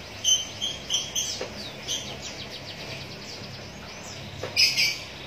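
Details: A Javan munia chick calls while being fed by hand with an old straw. It gives soft, high, short chirps repeated quickly, then a louder pair of sharp squeaks near the end, over low hum.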